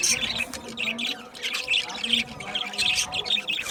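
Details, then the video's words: Aviary budgies produce a steady, rhythmic run of bright squeaky chirps, repeated in quick clusters with short pauses, over soft background chatter. "Budgie chirping sound | Budgie parakeet singing | Budgie aviary sound"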